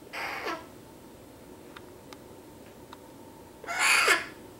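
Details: Young female eclectus parrot at eight weeks old utters two rough, grating squawks roughly three and a half seconds apart, the second louder and longer with a falling end; soft clicks in between.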